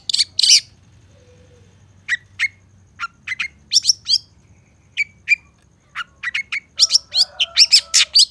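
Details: Long-tailed shrike song for training cage birds, with rich fill-in phrases: two harsh opening bursts, then spaced sharp downslurred chirps that gather into a dense run of buzzy strokes at the end.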